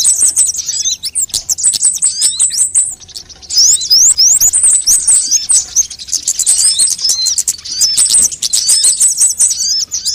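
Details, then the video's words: Sunbirds on a track meant to lure birds and get them singing: high, thin trilled runs and sharp upward-swept squeaks, a quieter stretch near the third second, then dense twittering again. "suara pikat semua jenis burung kolibri"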